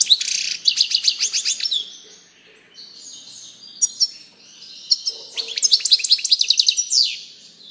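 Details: European goldfinch song: fast metallic twittering at the start, a soft pause with thin notes, then a renewed run of ringing trilled phrases; quiet otherwise.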